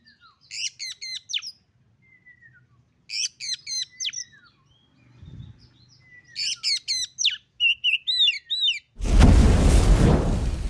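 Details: Female Oriental magpie-robin calling to a male, used as a training track: clusters of sharp, high chirps and short whistled sweeps in bursts, ending in a loud broadband rushing noise.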